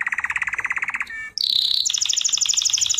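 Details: Canary song from a singing lesson recording for training: a rapid pulsed trill near mid pitch for a second, a brief buzzy break, then a sustained high whistled note shifting into a fast, very high rolling trill.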